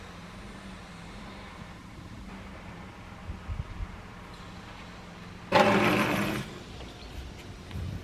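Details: Steady engine hum from a vehicle, with a loud broadband burst of passing traffic or an engine surge partway through and no animal voices.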